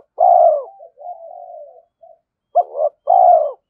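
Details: Spotted dove used as a lure bird, cooing in challenge: a long loud descending coo with a soft trailing murmur, a brief pause, then a clipped double note and another full coo.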